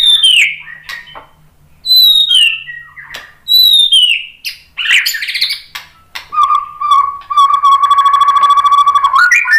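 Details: White-rumped shama song used to stimulate other shamas to sing: loud varied phrases of whistles descending from high notes, sharp clicks and buzzy bursts, ending in a long steady whistle with rapid rattling overtones.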